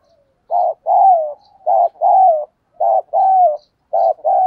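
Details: Spotted dove used as a decoy, cooing to attract wild doves: four rapid phrases, each a short coo followed by a longer, smoothly bending note. Clean, with no other sounds.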